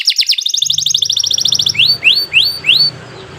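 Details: Canary song meant for teaching young birds: a quick ringing trill of sharp notes, then four slow upward-sweeping whistles about every third of a second, over a faint low hum.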